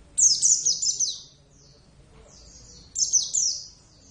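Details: Caged Oriental white-eye of the Javan subspecies, a pet bird, giving two loud bursts of rapid high twittering song, sweet descending chirps in quick runs separated by a pause.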